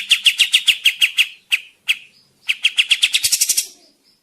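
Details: Kapas tembak bird in lively full song, used as a lure for trapping in the forest: a fast series of sharp, slurred chirps, a brief pause, then a quicker chattering run ending in a buzzy burst.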